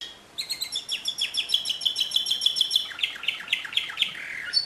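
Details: Canary singing a pure song, 2016: a steady rapid trill of identical chirps, about three per second, followed by lower descending slurred notes at the end.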